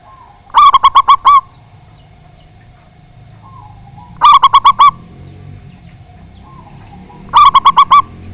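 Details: Loud local zebra dove song meant to provoke rival birds to sing: three phrases of quick, bubbling coos, each ending on a longer note, repeated roughly every three seconds over faint low background noise.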